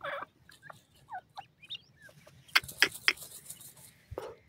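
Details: Francolin chicks, locally called sindhi teetar, giving short thin peeping notes, several sliding downward, scattered through the first two seconds. Sharp, loud tapping clicks follow, with a low background hum.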